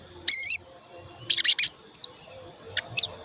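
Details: Olive-backed tailorbird song played as a lure: one loud, buzzy, wavering note, then a few short, scratchy, high bursts and brief chips.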